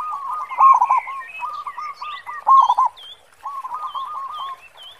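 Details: Strongly singing local zebra dove, big 'khong' voice: rapid low coo phrases of stuttered notes, two ending in loud rolling trills, then a softer run, over steady high chirps and whistles from other birds.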